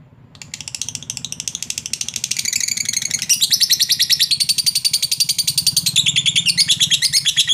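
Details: Long 'ngekek' chatter from a lovebird, played to provoke and call a rival bird: a sustained stream of rapid, shrill notes that swells in loudness after a few seconds and continues without pause.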